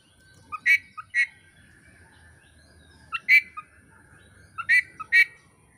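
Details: Oriental magpie-robin, Indonesian songbird-keeping training material: short loud chirping notes, each preceded by a soft pip, given in pairs with gaps of about two seconds over a faint steady tone and low hum.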